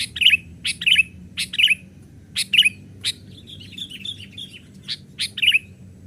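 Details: Young sooty-headed bulbul used as a lure for wild birds, perched on a twig: sharp chirping call pairs repeated roughly every half second to second, with a brief softer warbling phrase midway.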